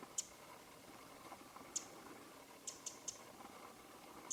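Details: Winter morning in Japan, late January 2013, with a Winter wren calling on a leafless branch: irregular sharp high clicks, single at first, then three close together and another at the end, over low steady hiss.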